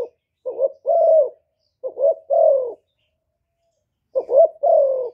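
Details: Decoy spotted dove, Cà Mau, Vietnam, cooing to attract wild doves: three evenly spaced low phrases, each a quick warbling two-part note leading into a longer, smooth, slightly descending coo, with silent pauses between.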